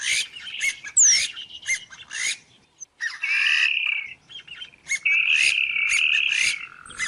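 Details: Oriental reed warbler giving grating, buzzy phrases: sustained rasping churrs lasting about a second, interspersed with sharp high chips and short squeaky notes, with brief silent gaps between bursts.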